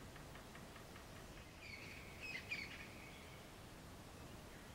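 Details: Brown-headed parrots near Punda Maria, Kruger National Park, give a short burst of harsh, shrill squawks and screeches over about a second, against a steady background hiss.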